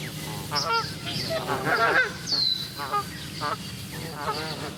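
Canada geese honk in loud, nasal, overlapping calls, about two per second, several birds calling at once with a low background rumble.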